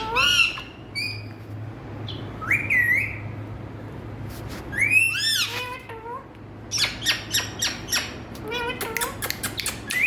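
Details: Indian talking parrots giving scattered screeches and upswept whistles, with a quiet stretch midway, then a quick series of sharp clicking chirps near the end over a low steady hum.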